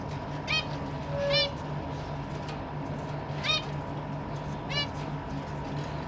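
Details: Caged zebra finches, parents busy feeding their fledglings; four short nasal calls with stacked harmonics about every one to one and a half seconds, plus a brief pure tone, over a constant low hum.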